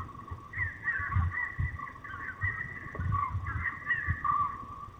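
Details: Male peregrine falcon at the nest in the Barycz Valley, searching for his mate; harsh, repeated, nasal calls with strong harmonics, given in quick bursts throughout, with low rumbling background noise.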